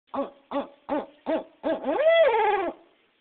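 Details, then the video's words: A female Barred Owl in rehabilitation after being hit by a car hoots at staff cleaning her cage and calls back and forth with resident owls: five quick, even hoots, then a long rising-falling note. "Barred Owl calling"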